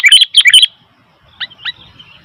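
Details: Sooty-headed bulbul calling noisily: a quick burst of bright, chattering chirps in the first moment, then a pause and two softer, shorter chirps, with faint low rumble behind.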